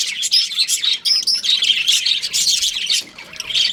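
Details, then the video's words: Aviary of young budgerigars producing bright, rapid chirps and warbling squeaks in close succession, briefly quieting near the end before picking up again. "Baby Budgies Chirping Sounds"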